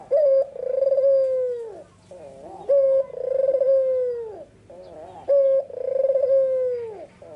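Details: Barbary dove with white plumage and red eyes singing in the afternoon, sharp and clear: a loud opening note, then a long rolling coo falling slightly at the end, with a softer quavering note between; repeated about three times.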